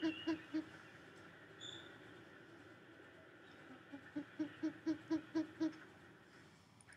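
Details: Short-eared Owl from Wisconsin with a monkey-like call: quick runs of low, hollow hoots, a brief burst and then about eight evenly paced notes, with faint room hiss.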